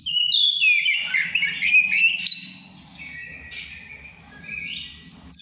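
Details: Bird in strong breeding arousal singing a plain ngeplong song: a bright cascade of descending whistles and twittering notes, followed by softer, drawn-out whistles that rise at the close, with a faint low hum beneath.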